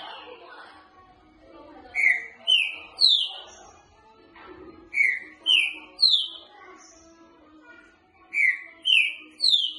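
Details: Boca mole song of a green-winged saltator, meant for training and tutoring. Three phrases of three to four loud whistled notes, each note higher than the last, repeat about every three seconds over a soft background hum.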